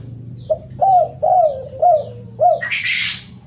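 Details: Spotted dove giving a run of mellow, slightly rising-then-falling coos, about four evenly spaced notes within three seconds, with faint high chirps of another bird and a brief rustling burst at the end.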